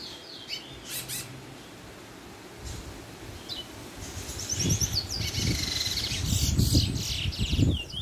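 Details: A Chestnut-bellied Seed-finch (Trinidad bullfinch), starting to show its first black feathers, recorded 20 May 2021, gives scattered high, thin chirps and twittering notes, busier in the second half, over a steady low background rumble.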